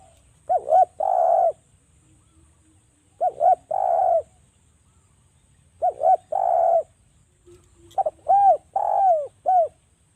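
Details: Java spotted dove used as a calling lure: four similar phrases about every two and a half seconds, each a brisk double coo running into a longer, fuller coo, low and mellow against a quiet background.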